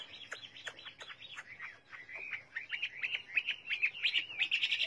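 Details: Chinese hwamei song of fast, sharp downward-sweeping whistles that run together into a steadier, brighter twittering phrase, getting louder over five seconds.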